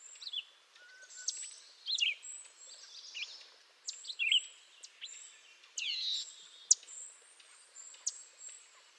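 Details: Canada jay vocalising: a mix of sharp high chips, slurred whistles and short rasping notes in irregular bursts over about nine seconds, with a quiet outdoor background.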